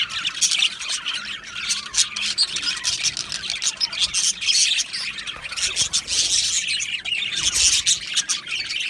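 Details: Budgerigar colony in an aviary, many birds chattering at once: a steady wash of high, scratchy chirps and squawks with no pauses and a few clearer tweets rising above.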